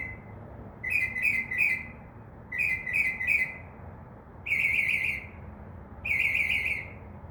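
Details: Mimicking Northern mockingbird in a tree by a window, night song of triplets of short scratchy notes followed by two longer trilled, wavering phrases, each repeated with brief gaps.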